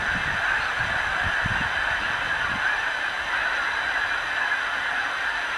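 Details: Large flock of geese coming in to roost in a milo field at night in February 2015, a nightly ritual; a dense, continuous chorus of honking calls blurs into a steady wash, with scattered louder low honks in the first three seconds.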